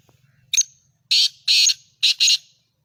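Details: Black francolin of the Sindhi patha type gives a loud, harsh, grating phrase: one short clipped note, then two long rasping notes and two quick rasps, over a faint low hum.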